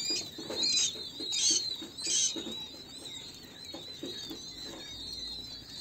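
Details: King quail chicks giving many high, thin whistled peeps, some rising and some falling, in overlapping runs with brief louder bursts, over faint rustling and tapping.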